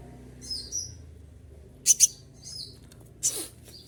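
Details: During moult, a kept olive-backed sunbird gives soft high chirps followed by a crisp double burst and a later shrill note, with a faint low drone underneath.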